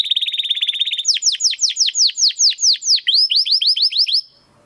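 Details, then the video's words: Domestic canary in steady 'crystal voice' singing, used as a master recording for training competition birds: a fast high buzzy trill, then a run of loud, sharply descending whistled sweeps, ending in a rapid rising-falling series. "Kenari Gacor Suara Kristal Buat Masteran Burung Gantangan"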